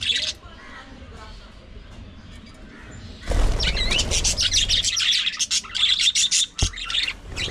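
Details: Budgerigars kept as pets, several birds, in daily activity: a quiet start, then a sudden loud stretch of fast chirping and twittering warble with short looping whistled notes.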